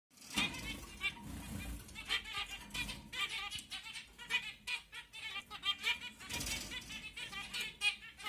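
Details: Zebra finches (CFW blackface) chatter in rapid, nasal, buzzy notes and squeaky toy-like beeps, strung into quick phrases.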